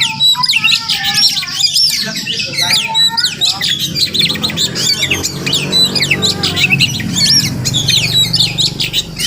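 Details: Melodious morning song of a wild Oriental magpie-robin at a village house: a dense stream of high, rapidly changing whistles and chattering squeaks, with a low droning background.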